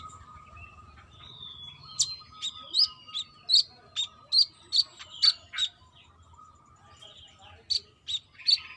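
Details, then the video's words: Brown-throated sunbird singing trotol style as a female calls a male: thin descending whistles, then a run of piercing high notes spaced about every half second, pausing before three more. "BURUNG KOLIBRI KELAPA TROTOL GACOR"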